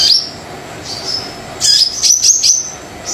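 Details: Brown-throated sunbird singing briskly to prompt silent sunbirds: thin, high whistled notes, a lone upslur, then a cluster of quick sharp chirps and rising whistles near the end.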